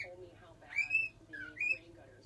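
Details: Pet cockatiel learning to whistle: a short rising whistle followed by two clear level whistled notes, with a low steady hum underneath.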